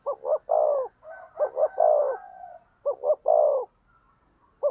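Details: Spotted dove decoy provoking rivals: three quick coo phrases in a row, each two short notes and a drawn-out falling coo, with faint wavering tones between phrases.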